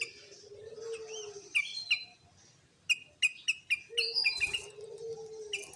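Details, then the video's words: Sooty-headed bulbul song used as a lure to draw out and provoke rival birds: short sharp whistled notes repeated in quick bursts, with a long low steady whistle at the start and again near the end. "Pancingan Burung Kutilang Gacor Full Tembakan"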